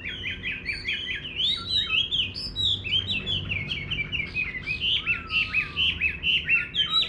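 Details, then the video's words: Chinese hwamei singing in a countryside garden: a rich, fast stream of varied whistled phrases, high notes rising and falling without pause, with a few longer sliding whistles near the end over a low background rumble. "Nghe Chim Họa Mi Hót"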